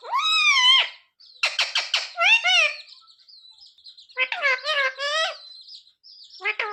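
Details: Parrot imitating human words, asking mummy for roti; squeaky, warbling syllables delivered in short phrases, with faint high chirps filling the gaps between them.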